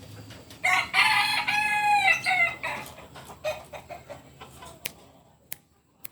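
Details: Genuine Kukuak Balenggek rooster of the biriang kuniang colour type from Solok, West Sumatra, giving a loud, harmonically rich crow of nearly two seconds, then a string of shorter, fading stepped notes and a few sharp clicks.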